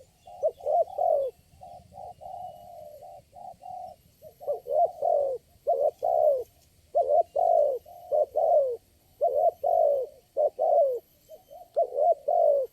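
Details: Spotted dove, the lone wild caller at a trapping site, responding to a lure bird with long runs of deep, hollow cooing phrases. Each phrase has two or three notes, with a quieter stretch near the start.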